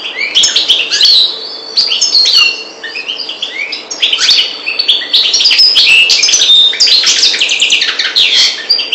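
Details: Sustained European goldfinch song, North African parva race: a continuous, fast, jangling stream of clipped chirps, slurs and trills with hardly a pause, high-pitched throughout.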